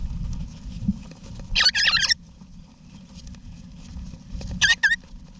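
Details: A wild eastern rosella family, both parents with their young, in a backyard nesting box in Australia in November 2018, gives two short bursts of harsh, chattering calls about three seconds apart, over a steady low rumble.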